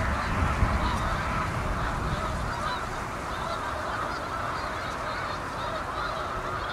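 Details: Flock of Canada geese calling at a reservoir in Utica, New York, in autumn (November); constant overlapping honking from many birds, with low rumbling background noise.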